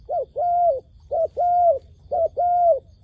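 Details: Dove kept as a decoy to draw wild doves into a trap, cooing three times, each a short low note followed at once by a longer, level, mellow one, evenly spaced about a second apart.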